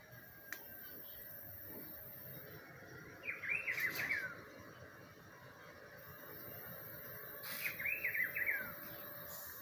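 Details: Rufous-browed peppershrike singing in spring: two similar rich warbled phrases about four seconds apart, each a run of rising-falling whistled notes, over a steady hiss of background noise.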